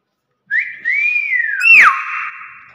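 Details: Nias hill myna in captivity, said to be watching a bird fly past, gives clear whistled notes that rise and curve downward, then a sharp cracking burst and a long falling whistle.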